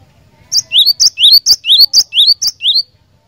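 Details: Cinereous tit, a lively persistent singer, repeating a bright two-part note, a sharp high tick followed by a rising whistle, about eight times in steady rhythm.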